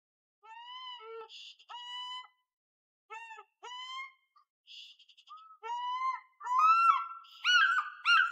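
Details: An African fish eagle calling for its partner gives loud, ringing, yelping notes in short bursts, about one a second, growing louder and wilder toward the end.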